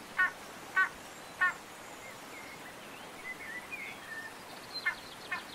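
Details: Spanish imperial eagle (Aquila adalberti) in Toledo province, Spain, December 2019, giving three hoarse barking notes about half a second apart, then two fainter ones, over steady outdoor hiss and faint whistles of other birds.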